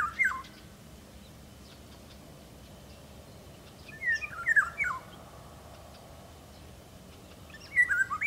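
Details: Song of a Eurasian golden oriole, 2017: short clusters of mellow, liquid whistled notes at the start, midway and at the end, separated by several seconds of quiet background.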